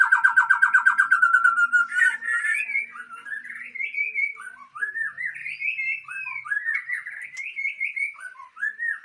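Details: White-rumped shama (Murai Aceh) breeding stock: opens with a fast, loud rattling series of repeated notes, then continues with varied melodious whistles, rising slurs and quick twitters.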